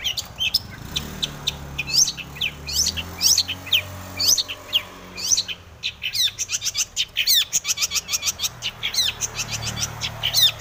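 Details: Breeding-condition long-tailed shrike, a 'full isian' song played to stir other shrikes: a dense, varied stream of scratchy, sweeping and twittering high notes that grows faster and busier toward the end.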